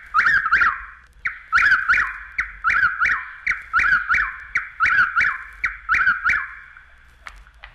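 Chuck-will's-widow sings a rapid series of loud, whistled phrases, each with a sharp clipped start, repeated under a second apart against a quiet night background.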